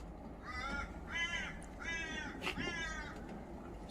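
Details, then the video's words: Crows calling during a storm, birds unable to stay in a tree; four harsh, drawn-out caws roughly every 0.7 seconds over a rumbling wind and rain background. "কাক পাখি সব ডাকতেছে। আমার কেমন যেন ভয়ই লাগতেছে।"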